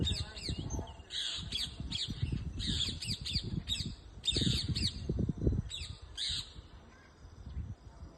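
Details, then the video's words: Several parrots in a backyard moringa tree squawk almost continuously, harsh grating notes tumbling in quick irregular series, fading toward the end, with steady low rumbling background noise. "Parrots in my backyard"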